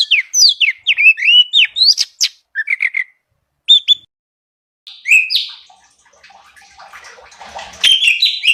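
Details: Light-vented bulbul (cucak cungkok) in full, lively song, used as a training recording to rouse other birds: varied short whistled and slurred notes, rising and falling, delivered in quick bursts separated by brief pauses.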